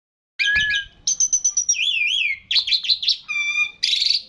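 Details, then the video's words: Javan pied starling (jalak suren jawa) in long rolling 'ngeroll' song: rapid repeated chirps, a sustained high whistle bending into wavering tones, then buzzy trills and harsh rasping notes in quick succession. "jalak suren jawa / javan pied starling gacor ngeroll panjang"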